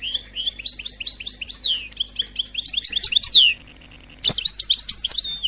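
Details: Royal goldfinch song used to excite other birds into singing, rapid repeated chirped notes and rising twittered phrases, a short silent gap, then more quick jingling twitters.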